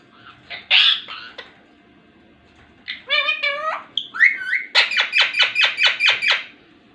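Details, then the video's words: Ringneck parrot talking: a loud voice-like syllable, then a wavering harmonic phrase, a rising whistle, and a rapid series of about nine even, pulsed notes, recorded in a small room. "talking parrot | full video | ringneck parrot"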